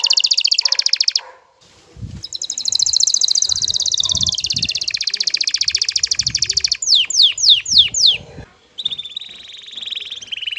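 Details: Male canary in courtship mood sings to a female: rolling rapid trills, a burst of five steep descending whistles, then a lower fast trill; faint low thumps beneath.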